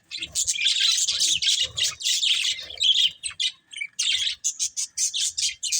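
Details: Budgerigars chatter busily while playing, a continuous run of high buzzy warbles followed by rapid, evenly spaced short chirps.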